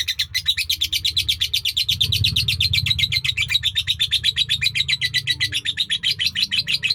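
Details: Lovebird in Indonesia delivering a long-duration sakera song, a dense, rapid stream of piercing high chirps without pause, over a low background hum.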